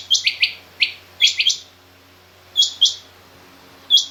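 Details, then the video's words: Female rain quail in a mixed quail recording with king quail: overlapping high and lower doubled chirps come in quick bursts, then spaced high pairs follow with short pauses between. "Female Rain Quail Calling"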